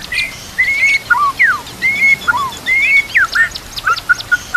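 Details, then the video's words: Murai batu (white-rumped shama) master song for training birds, with water trickling behind: clear fluting whistles, some sliding down steeply, then quick high chips near the end. "TERAPI MURAI BATU YANG AKAN MEMBUAT BURUNG BIASA JADI ISTIMEWA"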